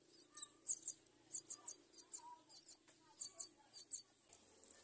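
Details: Myna chicks in the nest as adults bring them food, giving thin, high, squeaky chirps in quick clusters of several bursts each second, with a faint low rumble underneath.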